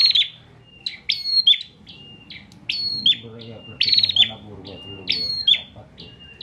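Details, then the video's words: Caged bar-winged prinia from Pemalang, Central Java, kept as a tutor bird for training other songbirds, singing persistently: bursts of sharp, high chirps and buzzy trills about four times in six seconds, with low background murmur. "PRENJAK GACOR NGOTOT UNTUK MASTERAN"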